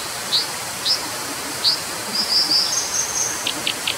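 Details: Brown dipper giving three spaced, sharp high chips, then a thin high whistled passage and a few quick clipped notes at the end, with a steady rushing sound behind.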